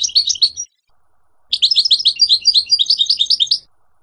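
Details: A wild Moroccan European serin sings two bursts of high, fast, jingling twitter: a brief phrase, then a longer two-second run of buzzy, tinkling notes.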